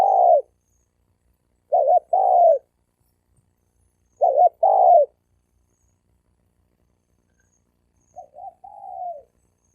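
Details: Fighting challenge between wild male spotted doves, recorded 2020. Three loud two-part coos, a clipped note then a longer falling one, come every two seconds. A softer, fainter coo follows near the end.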